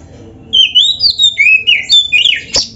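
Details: Kacer, the oriental magpie-robin, in a short burst of gacor song from a training recording for caged birds. A connected chain of sliding whistled notes climbs and dips, ending in a sharp high squeak.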